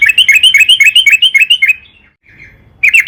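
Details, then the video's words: Fast, excited yellow-vented bulbul song for luring trucukan to sing: a steady string of about a dozen crisp, bouncing chirps, a short silence, then another burst beginning. "burung trucukan gacor PANJANG buat PANCINGAN TRUCUKAN AGAR BUNYI"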